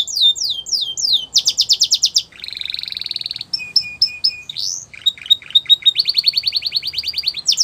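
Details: Canary song for training young canaries: descending whistled notes, a fast buzzy trill, a lower rattle, spaced pure pips, and a closing rapid roll of repeated notes.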